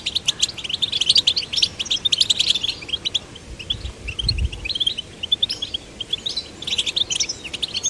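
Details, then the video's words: Captive male and female goldfinch chicks being stimulated to sing: a rapid, continuous stream of high, tinkling twitters and chirps with brief buzzy notes, and a soft low thump near the middle. "goldfinch chicks to sing birds chirping"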